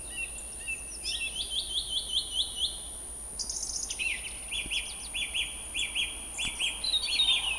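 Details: Song thrushes at Montbéliard, France, in late February and early March 2024, sing loud, clear phrases, each a short note repeated five or six times in quick succession before switching motif, over a faint steady high whine.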